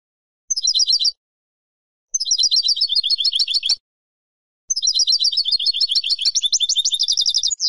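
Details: Spanish European goldfinch singing clean, without background: three bursts of rapid, bright twittering phrases with tinkling, liquid notes, the last burst longest and ending in a quick downslurred note; no other sounds.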